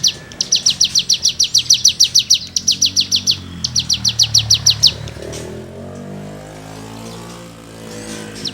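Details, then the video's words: Cigun delivering a 'gesekan' rasping song, recorded as a tutor for other songbirds. Quick repeated buzzy high chips run for about five seconds, then go quiet, leaving only low background hum and a final note. "CIGUNG GACOR FUL NEMBAK MATERI GESEKAN"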